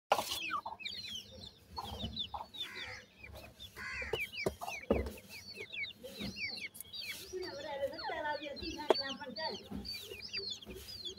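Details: Young francolin (teetar) chicks feeding: a dense chorus of thin, high, down-slurred peeps overlapping rapidly throughout, with a few lower clucking notes and scattered knocks and taps.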